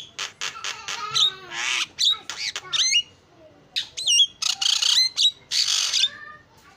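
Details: Javan myna delivering a chattering isian song of fast ticks, descending whistled slurs and loud grating squawks, with a brief quiet gap midway.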